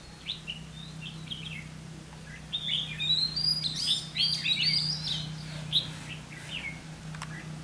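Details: Decoy red-whiskered bulbul at a trap luring wild birds, giving a few scattered short chirps and then a rich run of bright, tumbling whistled notes in the middle, against a steady low hum.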